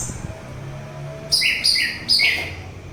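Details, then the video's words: Orange-headed thrush song offered for relaxing tired minds and luring its own kind and other birds: three quick high whistled phrases, each sliding down from a sharp top note into a buzzy lower trill, with a soft low hum beneath. "Begitu Syahdu Suara Anis Merah"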